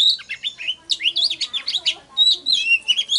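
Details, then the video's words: Oriental magpie-robin singing intensely, a lure recording for wild birds: dense, rapid sequence of bright whistles and twittering notes sliding up and down, nearly continuous over three seconds. "Chòe than Hót || Kích HÓT CỰC XUNG || Tiếng than MỒI GỌI BỔI"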